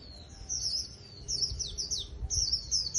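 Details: Japanese white-eye, contest trap bird, giving quick high slurred whistles and twitters in a lively run, each note sliding downward, continuous for most of the moment.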